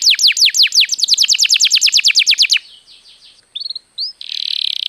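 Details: Canary singing to encourage other birds to sing: a steady series of loud falling slurs, then a quiet gap, two short chirps and a buzzy rattle.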